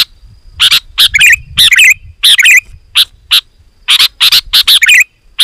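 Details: Loud Sooty-headed bulbul song for calling in wild birds: bursts of bright chirps and bubbly warbled notes, some close together, over faint low rumbling.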